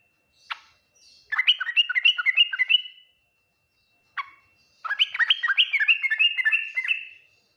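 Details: Yellow-vented bulbul in full 'ngriwik nguplik tuklik-tuklik' song, a style said to draw quick replies from other bulbuls: a short sharp note before each of two long, rapid, bubbly runs of rising and falling liquid notes, separated by a pause.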